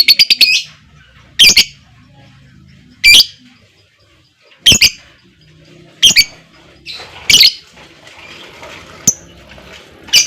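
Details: Lovebird heard in a lure recording meant to set other lovebirds singing. Sharp, high, separate chirps come every second or so against a quiet background.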